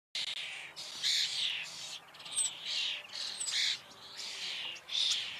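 A common starling sings a dense, varied stream of wheezy whistles, clicks and rattles, in bursts about every second, high-pitched and almost without a pause.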